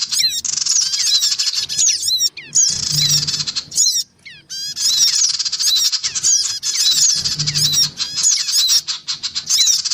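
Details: Noisy lure recording of black-winged cuckooshrikes, males, females and young: long spells of grating chatter laced with sharp squeaky notes, separated by brief quiet breaks.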